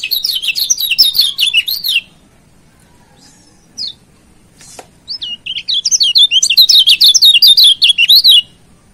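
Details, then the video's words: Lemon-bellied white-eye (Lombok yellow white-eye) song: fast, high, twittering runs of thin rising-and-falling notes, breaking off briefly before a second long, excited burst. "Masteran Kecial Kuning GAK PERNAH ZONK‼️Pancing Jos LAWAN‼️"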